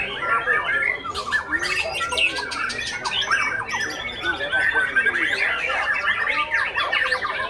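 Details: Oriental magpie-robin, a young bird in performance, delivers a busy stream of harsh chattering notes mixed with short rising and falling whistles, nearly continuous, with a brief quieter moment near the start.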